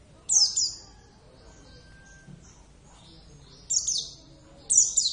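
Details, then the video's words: Hand-raised caged Javan oriental white-eye in full song: a high, downslurred double chirp, a pause of about three seconds, then two more quick bright phrases, with faint indoor background noise. "plecit gacor"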